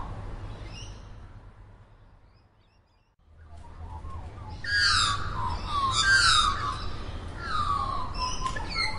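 A magpie breaks into rich, warbling phrases with falling, fluting slides, after a few faint chirps, over a steady low rumble.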